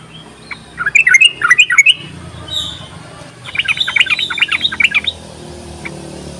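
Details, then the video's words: A yellow-vented bulbul chatters, in a recording meant to lure quiet bulbuls into song: a quick string of up-slurred chirps, a short gap, then a longer jumbled run of higher notes over a faint steady hum. "ropelan dan panggilan burung trucuk ini sangat memikat bagus buat pancingan trucuk malas bunyi"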